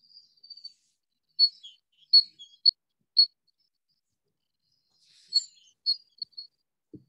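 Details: Great tit song: bright, high, ringing notes paired with slightly lower ones, repeated in short bursts, followed by a soft thump; played as an example recording.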